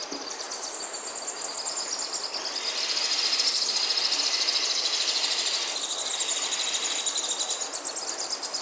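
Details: Baby sun conure chicks being hand-fed, giving a continuous high, raspy, rapidly pulsed chittering that swells in the middle of the clip and eases again toward the end.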